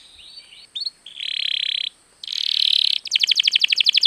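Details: Canary song meant to stimulate other birds: faint whistles, then two loud buzzy rolling trills and a closing series of quick bright repeated notes, with background hiss.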